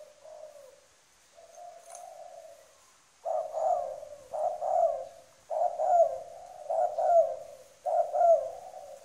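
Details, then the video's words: Spotted dove from Trà Vinh giving low, husky coos: two soft notes, then strong paired coo phrases repeated about every two seconds over a faint high hiss. "Mồi cây kèm gù cứng"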